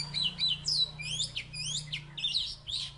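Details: Salatiga Oriental magpie-robin, once a third-place champion, in energetic song: quick sweeping whistles and slurred rising and falling notes follow each other almost without pause, with a constant low hum underneath.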